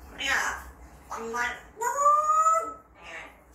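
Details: Pet parrot mimicking words, said to pick up words it was never taught. Short voiced, speech-like syllables with a drawn-out rising tone in the middle, separated by brief pauses, recorded in a quiet room.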